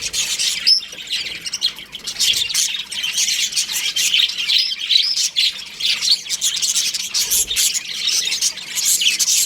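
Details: ['Many baby budgerigars in an aviary chirping, continuous shrill chatter and squawks layered together, with a few louder bursts and a faint low thump.']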